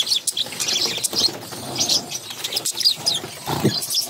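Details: Hungry budgerigar chicks begging while their mother feeds them; scratchy, high chattering chirps in short overlapping bursts, with a brief lower thump near the end.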